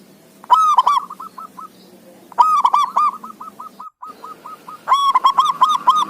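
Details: Zebra dove in full lively song, played to encourage quiet doves to sing: loud stuttered ringing bursts, each followed by long even trains of short hooked notes, three phrases in quick succession.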